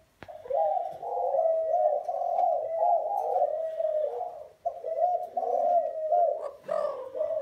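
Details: Spotted dove cooing: a long, low, rolling coo that runs almost without a break, with deeper throaty notes and a short pause midway, recorded indoors.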